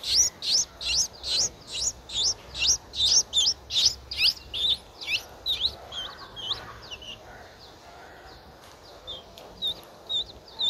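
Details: Streak-eared Bulbul nestling aged nine days, Ubon Ratchathani, Thailand, 11 April 2023. A loud, fast run of shrill rising chirps for about six seconds, then softer, sparser high notes trailing off.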